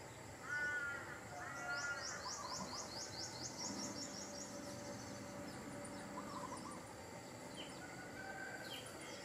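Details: In a backyard in a Thai village, a large-billed crow gives two hoarse, nasal caws, with a faint third later. A small bird's rapid high twittering and low hooting run behind.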